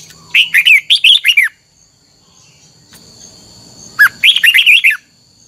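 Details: Mature wild-caught red-whiskered bulbul giving its double-note twisting training song: two bright, rapid warbling phrases of six to seven slurred whistled notes each, about three seconds apart, with faint low background noise between them.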